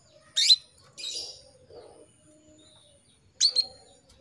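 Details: Calling female canary trying to draw a male into song: a sharp rising chirp, then a softer buzzy rasp, quiet low murmurs, and another doubled upswept chirp about three seconds later.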